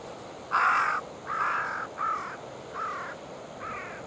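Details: Wild carrion crow at a waterside feeding ground on the Oita River, October 15 around 8:12, where a family feeds on tofu: five hoarse, harsh caws, roughly one every 0.8 seconds, the first loudest and later ones fading slightly.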